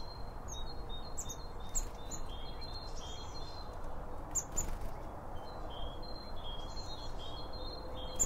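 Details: Around a bird feeder, two microphones placed behind the seed pick up birds chirping while feeding. Thin high tweets and short twitters come in loose bursts, with a few sharper accented notes, over constant low background noise.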